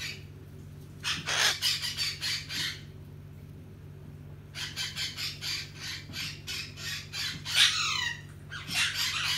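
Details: A Hahn's macaw kept as a pet squawks while getting scratches at bedtime. It gives bursts of rapid, grating, scratchy squawks in two long runs with a pause between, and one brief squeal near the end. A low hum runs underneath.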